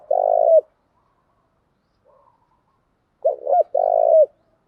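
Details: Female spotted dove decoy cooing to stir up and attract males: one long vibrating low coo, a pause with faint murmurs, then two short swooping coos followed by another long throbbing coo. Only the dove is heard.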